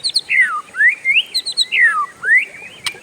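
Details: Oriental magpie-robin (kacer) during its long rolling song: a few drawn-out slurred whistles, alternately falling and rising, plus faint high notes and a sharp click at the end.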